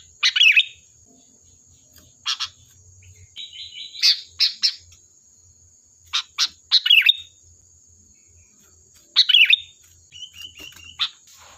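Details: Lively sooty-headed bulbul song used as a lure to make other bulbuls answer: loud, bubbling, chirpy phrases come in irregular bursts, with softer buzzy notes in between. A steady high whine runs underneath.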